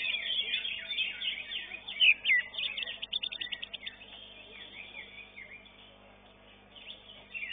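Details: At a Srengseng singing contest, a greater green leafbird entered in its class and finishing fifth delivers loud slurred whistles, then a fast rattling run of short notes, before fading into surrounding birdsong.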